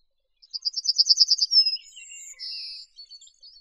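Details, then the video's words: Yellowhammer, a bird of Atlantic farmland with hedgerows, meadows, copses and scrub, singing a quick run of about ten bright, evenly repeated high notes, then a drawn-out whistled note, with a few thin high notes after. "Audio del Escribano cerillo"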